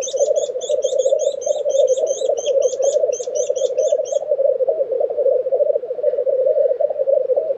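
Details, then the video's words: A high, rapid run of repeated chipping notes from another bird opens the recording over a continuous low, rolling, bubbling coo from a black grouse lek. Recorded in Tiveden, Sweden, April 2023. "Black Grouse Lek - sound recording"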